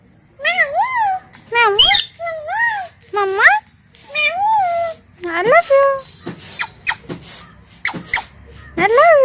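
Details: Two pet talking parrots indoors; high, nasal voice-like syllables with rising-and-falling pitch, about ten short phrases in quick bursts, some arched and wavering, with brief gaps and background music.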